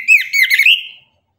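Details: Orange-headed thrush singing in the morning in the 'tembakan' style: one short scratchy warbled phrase of slurred notes, ending in a fading whistle.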